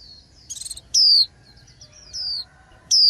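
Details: Male white-eye singing in late spring: high, thin whistled notes sliding downward, given in short bursts with pauses between, plus a quick twittering flutter of notes; faint lower tones hum underneath.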